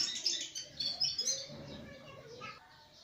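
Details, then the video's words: Sparrow calling with a busy run of high, sharp chirps and twitters, several overlapping in quick uneven succession; a lower, faint, drawn-out note sits underneath midway. "ak chote aur Pyaari chirya (Sparrow) 🕊️ aur us ki Pyaari awaz"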